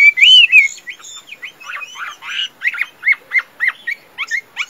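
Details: Chinese hwamei, a tame bird noted for singing and fighting, opens with a loud arched whistle, then gives a string of short, clipped, downward notes repeated about four times a second.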